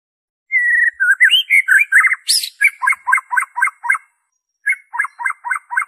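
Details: A white-rumped shama sings, original song free of other birds' phrases, meant to stimulate caged birds to sing: a sweet whistled opening and varied flourishes, then a steady series of sharp, doubled chipping notes, briefly paused and resumed.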